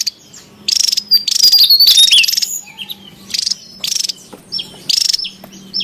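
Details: Javan tesia heard in the wild, noisy and lively, used as lure sound: short bursts of rapid buzzy chatter alternate with high sweet whistles and slurred chirps, repeated several times with gaps.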